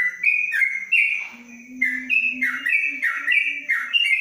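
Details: 'Ropelan panjang' song of a caged yellow-vented bulbul under a cage cover in Kebumen: loud, quick whistled notes sliding downward and restarting higher, repeated without pause, while a soft low steady tone runs beneath.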